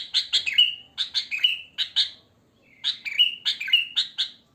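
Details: Wild sooty-headed bulbul, natural song with no added birds, used as a lure: two similar bubbly phrases of quick chirps, each ending in a bright level whistle, separated by a one-second gap.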